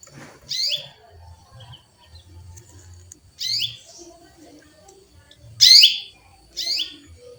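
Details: Female canary chirping to call a male, loud harsh chirps sweeping downward, four calls spaced about one to two seconds apart over a quiet background with faint low rumble.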